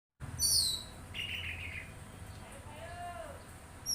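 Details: Oriental magpie-robin singing: high thin whistles, then a short buzzy burst, then a clear downslurred whistle lower in pitch, over a steady low background hum.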